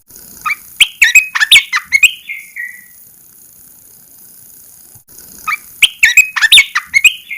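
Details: Red-eyed bulbul kept in a cage, recorded when its cover is first opened after 14 days of cover therapy. It gives two bursts of chattering, bubbly notes with a falling whistle, separated by a few seconds of silence.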